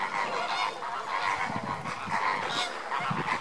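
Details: A flock of lesser flamingos during enrichment gives a steady, overlapping chorus of nasal, goose-like honks and chatter, with many birds calling at once.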